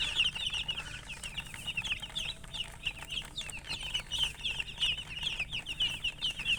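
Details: Coloured chickens chirping, a dense chorus of high, shrill peeps overlapping continuously, with a low hum underneath.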